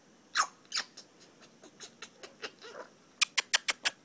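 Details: A female grey parrot, a constant talker, chatters in a run of short, raspy syllables about three per second, amid French talk with her owner, then ends with five sharp, loud clicks in quick succession.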